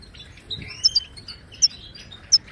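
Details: Moroccan goldfinch song of the Widani and tbitba styles, used to teach caged goldfinches; sparse high chirps and thin slurred whistles with four sharp bright clicks spaced across the passage.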